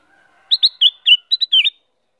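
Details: A faint low tone precedes a crisp phrase of six or seven liquid, slurred whistles from a female Black-crested Bulbul, ending in a falling note.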